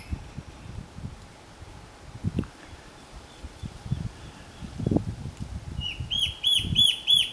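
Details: Slender antbird in Boa Nova, Bahia, north-east Brazil, August–September 2013, giving a quick run of five sharp, clear notes, about four a second, near the end, after several seconds of low rumbling wind noise.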